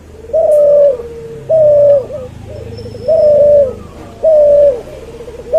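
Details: Cuhu, a hybrid dove bred from a white albino puter and a puter pelung, giving four drawn-out, steady mid-pitched coos, each followed by a lower trailing note, repeating roughly every 1.3 seconds. Fainter cooing sounds behind.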